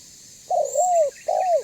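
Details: Spotted dove of the banggo voice type, used as a lure to make other doves call and approach: a stuttering opening burst, a long smooth falling coo, then a second drawn-out drooping coo, mid-pitched and clear.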